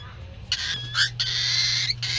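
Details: Hungry pet cockatiel chick crying again for food: a quiet start, then rough raspy bursts that swell into a sustained grating screech, with short breaks between the pulses and a faint low background hum.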